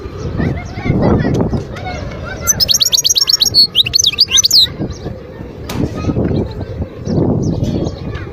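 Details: Wild European goldfinch from Guerbaz near Skikda, Algeria, recorded in 2022, giving a short burst of rapid, high, tinkling twitters in the middle, framed by low murmuring and rustling noise before and after.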